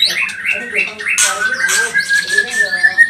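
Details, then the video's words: Pastol white-rumped shama song played to excite other birds: short repeated whistled notes, then a steady sustained whistle with scratchy high chatter and faint lower tones beneath. "Murai batu pastol cepat bunyi gacor emosi"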